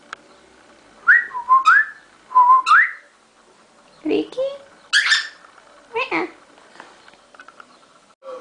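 A cockatiel whistles rising and wavering tonal phrases, then adds several short harsh chattering notes.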